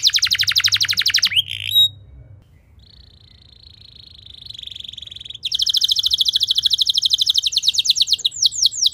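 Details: Canary song played to train other canaries: a fast high trill ending in a buzzy note, a softer steady trill, then a loud rolling trill and swept notes.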